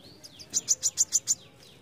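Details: Brown-throated sunbird, besetan song style: a soft sliding whistle, then a quick burst of six piercing high chips at an even, rapid pace, fading into a faint downslurred trail.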